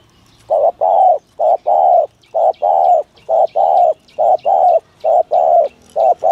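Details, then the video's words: Spotted dove giving a full 'thổ thúc gù' cooing call used by trappers to lure doves: low mellow coos in pairs, a short note then a longer one, repeated steadily about once a second, with faint birds chirping behind. "tiếng chim cu gáy chuẩn thổ thúc gù trang bị cho anh em thợ nhử"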